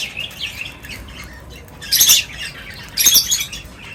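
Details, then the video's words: Birds at a feeding spot during feeding time; soft background chatter is broken by two loud, scratchy squawking bursts about one second apart. "Birds Feeding Time Sounds | Birds Chirping sounds"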